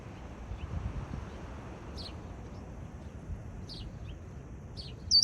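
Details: Red-winged blackbird (Agelaius phoeniceus) in a backyard giving three sharp, high, downslurred call notes, spaced one to two seconds apart, over a steady low rumble of wind or distant traffic.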